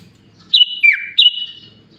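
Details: A short phrase from a sooty-headed bulbul that imitates Sunda pied chat, green leafbird and Asian pied starling: three clear whistled notes, the middle one sliding down, the last held steady.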